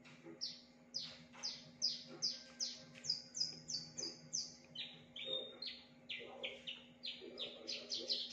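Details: Javan bush lark, a caged bird with a loud, varied song mimicking other birds, gives a steady series of high, downslurred whistled notes, two or three per second, over a faint constant hum.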